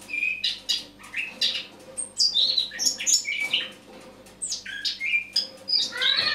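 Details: Eurasian blackcap autumn song recorded on the morning of 1 October 2017: a fast, varied warble of sweet whistles and scratchy chirps, with clear high notes mixed with rougher phrases.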